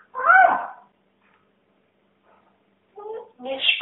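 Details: Pet talking parrot, female, indoors, repeatedly asking where her friend has gone: a bright, harmonic word-like utterance, a pause of silence, then two short chattering speech-like phrases.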